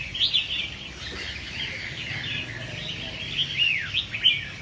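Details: Pet red-whiskered bulbuls raised for singing contests: busy warbling twitter with loud whistled notes near the start, then a string of falling slurs and sharp chirps toward the end.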